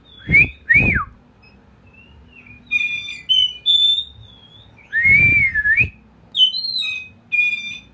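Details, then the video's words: Ngeplong bird, sung as lure song for a magpie robin. Two loud wavering whistles, a run of thin high notes, another strong drawn-out whistle, then more high chirps. "suara ngeplong"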